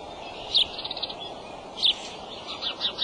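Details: Adult male bald eagle at the nest, March 23 in the afternoon, gives two clear high squeaky chirps a little over a second apart, followed by fainter twittering notes, all over a continuous hiss.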